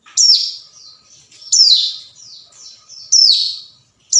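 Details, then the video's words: Hill prinia calling to a rival, used as a lure: loud, high, sharp downward-sweeping notes roughly every one and a half seconds, with softer buzzy notes between them. "suara panggilan ciblek gunung cocok buat pancingan"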